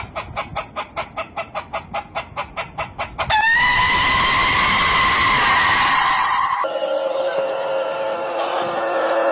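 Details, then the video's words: Rooster crowing, described as weird: a series of short rhythmic pulses for about three seconds, then a long loud harsh crow with strong bands, a second drawn-out section after; vehicle-like noise present. "Weird Rooster Sounds"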